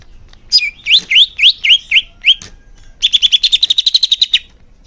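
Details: Greater green leafbird song meant to boost caged birds' singing: several rising whistled notes with sharp upstrokes, then a fast even trill of clear high notes.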